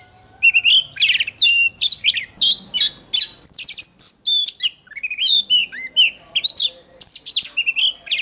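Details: Oriental magpie-robin delivering sustained contest-training song: a dense, almost unbroken stream of varied whistles, chirps and buzzy trills, many notes rising or falling quickly, repeated in rapid bursts.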